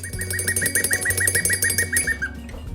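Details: A male cockatiel that lives free in the house and follows his owner everywhere gives a quick run of about a dozen short, even beeps at a steady mid-high pitch, ending on one longer, lower note, over background music; viewers recognise a familiar cockatiel whistled song.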